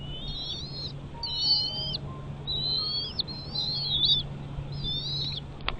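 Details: Piping, whistled calls from a bald eagle at a nest, about five short bursts of high sliding notes with faint upper overtones, set against a constant low hum and a closing click.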